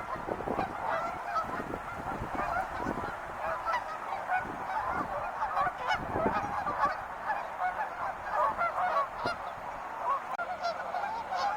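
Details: Wild geese in a flock honk continuously, many overlapping nasal calls of mid pitch forming a dense, steady chorus with no pauses.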